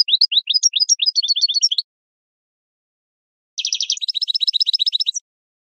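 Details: European goldfinch training song for teaching captive birds to sing: two bursts of rapid, high, tinkling twitter, the first of varied liquid notes, the second a fast buzzy trill of repeated chirps, separated by a silent pause.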